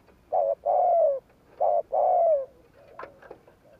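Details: Spotted dove cooing in the gù kích lure style: two short-then-long phrases, the long coos falling in pitch, then a few faint clicks.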